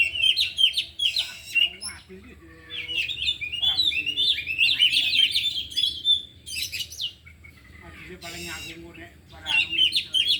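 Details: Afternoon training session with four kept oriental magpie-robins (kacer), all singing and showing isian. Loud bursts of varied whistles and chatter alternate with quieter gaps, a harsh rasping note appears, and several birds overlap.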